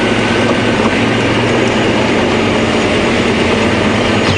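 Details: Loud, steady engine and mechanical rattling from a vehicle during an afternoon safari drive at Djuma Game Reserve, with no animal voices heard.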